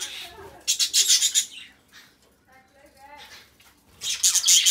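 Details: Two budgerigar companions singing: loud rapid bursts of buzzy, rasping high chatter, a softer stretch of faint wavering tonal notes, then another burst of intense scratchy warbling.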